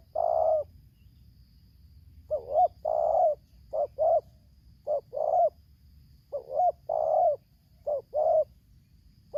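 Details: Spotted dove (tekukur) from Lampung: a decoy bird set against a wild bird, singing the tarik akar selang nguku style. Low hollow coos come in grouped phrases: a short doubled note, then a longer rolling coo, repeated with gaps.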